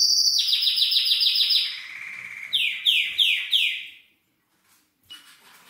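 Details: Male canary singing to arouse a female for mating. A high rolling trill drops into a lower buzzy stretch, followed by four loud descending swept notes, a pause, and a faint final phrase.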